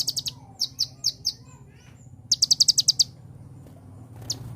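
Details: Sunbird known locally as konin, used as a master song for training songbirds: sharp high ticking notes in short bursts of three, then a rapid run of seven, over a low steady hum.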